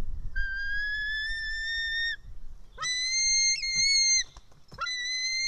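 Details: Nest-cam recording from Estonia, 4 July 2018 at 1:10 pm: a white-tailed eagle chick screams while fed fish, giving three long, level, reedy whistles that start with a sharp upward swoop, separated by brief gaps.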